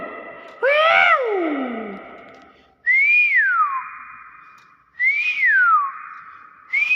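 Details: Common hill myna repeating loud, rich whistles about every two seconds: a first harmonic-laden call sweeping downward, then two clean notes rising briefly before falling away and trailing into a steady tone, in an indoor setting.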